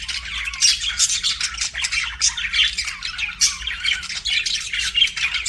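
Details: Budgerigars chattering, bursts of rapid scratchy chirps and squawks in pulsing waves, with occasional bright whistled notes.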